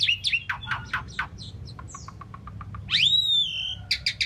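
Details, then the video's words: An Asian pied starling chirping a jumble of quick squeaky notes and a row of soft ticking clicks, then a loud rising whistle that flattens out, ending in brief buzzy chirps. "Asian Pied Starling Bird Singing and Chirping"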